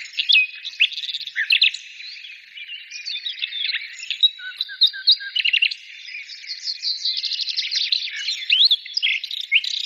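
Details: Birds singing in a busy chorus: quick chirps, short fast trills and bright warbling phrases overlap with no pause, all high-pitched.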